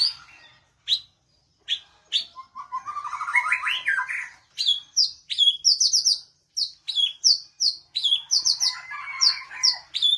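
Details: Oriental magpie-robin uttering sharp high clicking chips one at a time, then a short rattling warble, then a fast string of bright repeated whistled notes and chirps that carries on steadily to the end.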